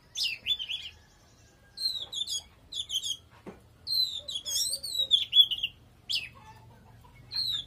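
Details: Oriental magpie-robin in strong song: clear, high whistled phrases with sliding and wavering notes, each phrase one to two seconds long and separated by short silences, plus a brief low click midway.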